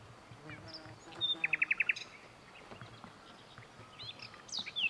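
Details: A common nightingale (Luscinia m. megarhynchos) at Lake Kerkini National Park, Greece, in April 2024 sings a fast burst of about six sharp, repeated notes, then thin high whistles and short chirps over a faint background hiss.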